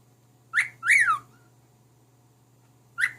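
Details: Pet cockatiel that talks and sings songs to its mate, who seems unimpressed. Three short whistled, chattery notes: a quick rising-falling note, a longer arched whistle, then a brief one after a pause. A steady low hum runs underneath.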